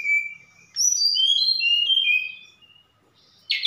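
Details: Javan bush lark from Sukabumi singing in full voice, its song filled with imitations of cililin, sikatan londo and other birds; a long high whistle, then a pause and a run of sliding whistled notes stepping downward, ending in a sharp burst.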